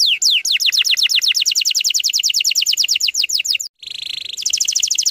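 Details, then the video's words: Canary singing a lure for young canaries, tight rapid-fire style: a fast trill of falling notes runs for several seconds, breaks briefly into a lower buzzy burst, then resumes. "PANCINGAN KENARI BAHAN TEMBAKAN RAPAT"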